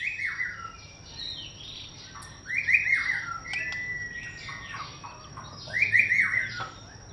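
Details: White-rumped shama, fainter and with background hiss, giving long slurred whistles that hold and then fall, with softer chattering notes between the phrases.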